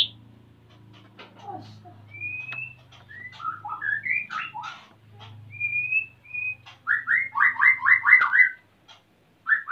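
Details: Male white-rumped shama in breeding condition, eager to mate while the female builds a nest, Salaman, Magelang, Central Java; varied clear whistles and slurred notes, ending in a fast run of repeated rising-falling phrases, with a low background hum.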